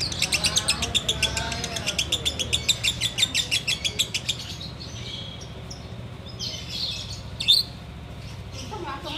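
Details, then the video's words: Sooty-headed bulbul singing ngekek while waiting to break the fast: a rapid, rhythmic chatter of high notes for about four seconds, followed by softer scattered calls and one loud sharp note. "Ngekek Biang Kerok"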